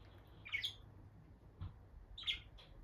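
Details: Peach-faced lovebirds, a bonded captive pair near the nest box; two short, sharp squeaky chirps stand out well apart against a quiet background, with a faint softer note between them.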